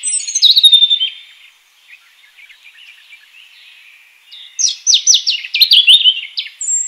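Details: European robin in the wild opening with a loud high descending whistle, a pause of faint twittering, then a bright rapid series of sharp falling notes before a final thin high whistle.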